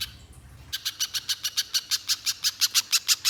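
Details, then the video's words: Little spiderhunter (pijantung pisang) in nonstop 'gacor konslet' singing, played as a lure to make other spiderhunters sing long: after a brief quiet start, sharp high buzzy notes repeat steadily about six per second. "Pijantung Pisang Gacor Konslet‼️ Untuk Pancingan Pijantung Agar Bunyi Mbeset Panjang"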